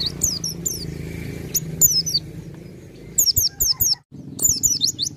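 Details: Pleci dakun white-eye singing in full 'ngalas' style, nearly 'nembak': bursts of quick, high, thin downward-slurred whistles in clusters of two to four, briefly broken by a silent gap, over a constant low droning hum.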